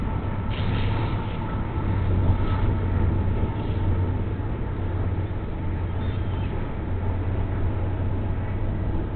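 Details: Low, steady engine rumble with a constant droning hum throughout, like passing road or boat traffic, and no clear animal calls.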